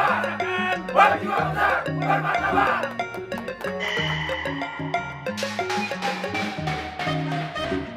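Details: Rhythmic band music with percussion and brief voices fills the recording, and no animal calls stand out.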